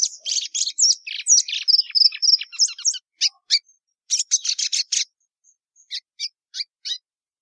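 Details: Plumbeous seedeater (Sporophila plumbea) singing: a rapid string of high whistled and buzzy notes, then after a short pause scattered sharp chips spaced at irregular intervals.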